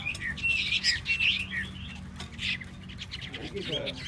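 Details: Hwamei delivering quick, chirpy warbled notes in short bursts, with pauses between phrases and a faint low hum behind.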